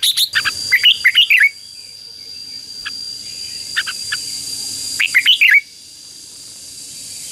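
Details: Red-whiskered bulbul singing a fierce ché-style fighting song used to call in wild birds and excite decoy birds: two short bursts of rapid, looping whistled warbles about four seconds apart, over a steady faint high whine.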